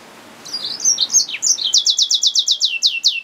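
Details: Hybrid finch, a yellow-fronted canary mule, opening with soft twittering slurs that build into a loud, regular series of sharp sweeping notes, about four per second.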